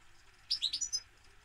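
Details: European goldfinch giving a short burst of four or five bright, high twittering notes packed into half a second, against a steady faint background hiss.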